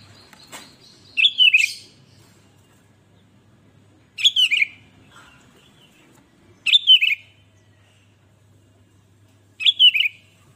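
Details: Sooty-headed bulbul singing energetically to set off other bulbuls: short bubbly, warbled phrases repeated about every three seconds, four phrases with quiet gaps and a faint low hum between.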